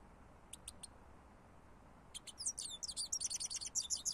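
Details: European goldfinch used as a lure, giving three quick high call notes, a short pause, then launching into a hurried, bright twittering song of tumbling high notes.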